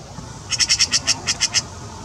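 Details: Eurasian magpie recorded in Wuppertal, Germany: one quick rattling chatter of about nine harsh, evenly spaced notes lasting around one second, against a quiet low hum.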